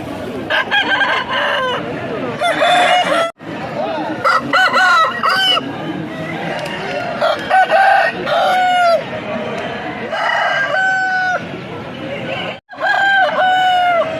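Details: Several Aseel roosters at a Saturday pets market crow in overlapping bursts, hoarse and drawn-out with falling endings, over a steady murmur of market voices.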